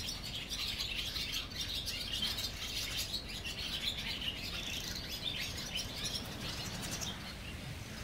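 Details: Colony of barn swallows beneath a bridge at Mercer County Park, New Jersey, giving continuous high, rapid twittering from several birds at once, with constant low rumbling noise underneath.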